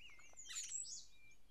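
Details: An eastern wood-pewee in Maine deciduous forest, perched high in a tree where it hunts insects, gives a thin, slurred whistle, then a brief burst of higher, buzzy chirping, possibly a common yellowthroat, over faint hiss.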